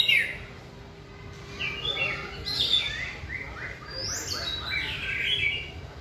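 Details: Caged white-rumped shama during training, hung on a pole: a loud opening note, then scattered slurred whistles and a rising run of bright high notes later.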